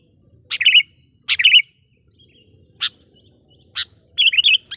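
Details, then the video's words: Decoy sooty-headed bulbul calling to wild bulbuls, giving short bubbly chirped phrases, two quick ones early, single sharp notes later, ending with a warbled run of several notes. "suara PIKAT KUTILANG gacor memanggil kutilang liar"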